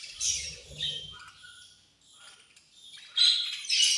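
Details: Budgerigars feeding, giving harsh chirps and squawks in short bursts separated by a near-quiet pause, with some low rustling at the start.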